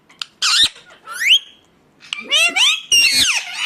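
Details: Indian ringneck parakeet heard in natural calling: a loud screech, a quiet pause, then a tumbling series of rough, up-swept and down-slurred squawks.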